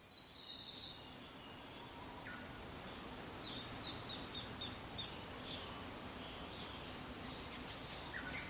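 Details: A Japanese pygmy woodpecker on 21 May 2016 gives a rarely heard call of unknown meaning: a two-second run of about six thin, very high notes; a second pygmy woodpecker nearby called the same way.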